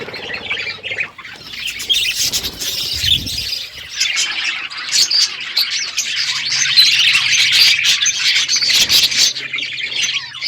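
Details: Several budgerigars calling in the morning, rapid overlapping chirps and scratchy warbles that grow louder and denser toward the end, with occasional low thumps.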